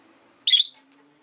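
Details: One sharp, shrill chirp from a caged rosy-faced lovebird, one of five kept by a window, lasting about a third of a second over a low, steady background hum.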